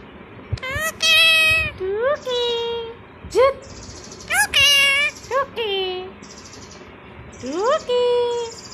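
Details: Indian ringneck parakeet, a talking pet green parrot, answering its owner's Bangla prompts with a string of raspy, rising-then-level vocal phrases and sharp squeaks, separated by short pauses, and soft human speech between them.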